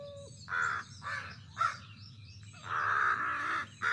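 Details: American crow (Corvus brachyrhynchos) gives harsh, hoarse caws, several short ones then a longer drawn-out caw, nearly one call every half second.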